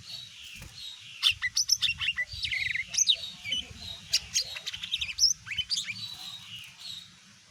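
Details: Greater green leafbird, a smaller form kept as a cage bird, singing to provoke other birds into responding: a fast jumble of high chirps, sharp clicks and twittering notes, with low rumbling noise underneath.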